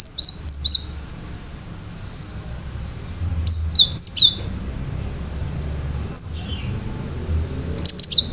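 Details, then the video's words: Singing gelatik batu, the cinereous tit, delivering sharp notes meant to provoke other birds into calling back; irregular bursts of three to four high, clipped whistles with falling ends, separated by pauses of one to two seconds, low background hum. "Gelatik batu gacor awas burung mu akan ikutan gacor"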